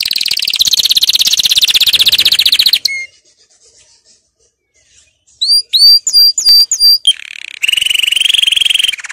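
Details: Strong canary song for training: a dense fast trill, a pause with faint notes, a string of sharp upswept chirps, then a lower rolling trill with a high overtone to the end.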